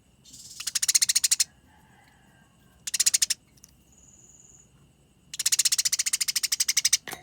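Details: Fighting Eurasian tree sparrows give long, clear chattering rolls. Three bouts of fast, rasping chirps appear, the last and longest running about two seconds, with faint background hiss between them.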